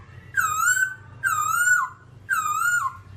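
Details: A babbler, described as all black, repeats a long, nasal, slightly wavering whistled note about once a second, three times, each rich in buzzy overtones, over a faint low hum.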